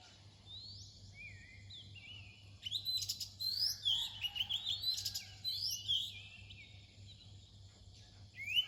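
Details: Oriental magpie-robin singing near dawn: a quiet start, then a burst of varied clear whistles and sweeping, slurred notes with sharp chirps, rich and fast, fading to sparse notes at the end, over a steady low hum.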